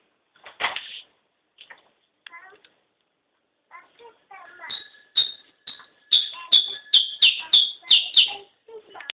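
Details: Saffron finch singing in Medellín, Colombia: scattered chips, then a fast series of sharp, bright downslurred notes repeated roughly every third of a second, growing louder and ending with a few softer notes.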